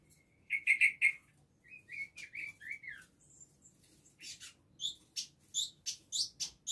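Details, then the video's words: Caged village indigobird song from Bandung, October 2022, used as close-spaced training material: a fast trill of sharp chips, then slurred descending whistles, a high thin note, and a run of rapid buzzy chirps. "Burung Indigo gacor masteran rapat"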